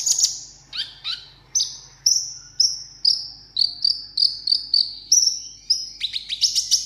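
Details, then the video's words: Sunbird in a cage singing a solo contest song: a string of thin high whistles, each short note repeated roughly every third of a second, a few buzzy dips between, ending in fast scratchy chips; low background hum. "hút mật 7 màu hót đấu solo"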